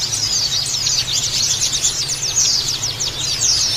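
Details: Oriental white-eye recording used daily to stimulate caged birds kept in groups: thin, high-pitched twittering of quick downslurred chirps in a busy continuous flow, with a soft low hum underneath.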